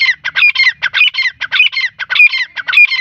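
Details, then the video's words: Francolin known locally as Irani teetar giving a rapid, loud grating call, harsh rasping syllables grouped in bursts repeated roughly every half second, steady and close. "Irani teetar ki awaz | Teetar ki awaz | Teetar voice"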